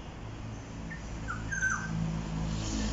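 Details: Black-naped oriole in Jurong East, Singapore, around 1 pm on 13 October 2021, giving a few short, faint fluty whistled notes over a steady low hum.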